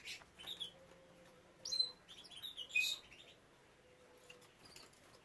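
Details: Canaries being bred alongside young birds, giving uneven high chirps and thin whistled notes in scattered short bursts, louder in the middle, with a faint tonal hum behind.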